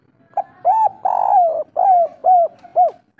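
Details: Local spotted dove in kuk 3 song style. Soft lead-in notes, then a drawn-out buzzing coo falling in pitch, and three rounded arching coos evenly repeated, with faint background hum.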